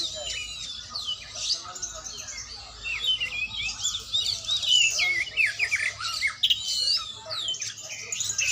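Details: Oriental magpie-robin singing during training: a quieter opening of scattered whistles grows into a dense, loud stream of chirps, slurs and warbles in the second half, all high-pitched and almost unbroken.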